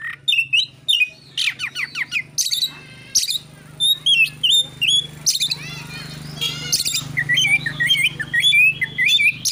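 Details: Oriental magpie-robin singing a fighting song to provoke rivals: varied whistled slurs and sharp chips in quick bursts, over a steady low hum that rises in the second half.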